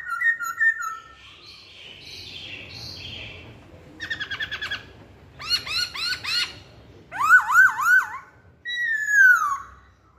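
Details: Varied lure song from a masked laughingthrush: whistles and buzzy notes give way to a rapid stuttering trill. Then come series of looping, rising harsh notes, bright upslurred whistles, and a final descending note.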